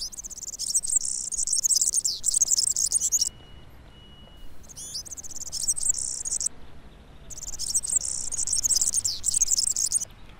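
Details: European Serin, fairly common in residential areas, sings long strophes of very high, rapid jingling twitters in bursts of two to three seconds, separated by brief pauses.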